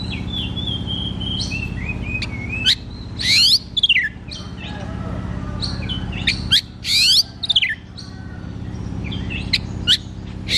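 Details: Kacer (oriental magpie-robin) singing loudly and openly, ngeplong style, used to stimulate kacer that sing little: sharp rising whistles and buzzy upswept notes in bursts around the third and seventh seconds, with pauses and a steady low hum behind.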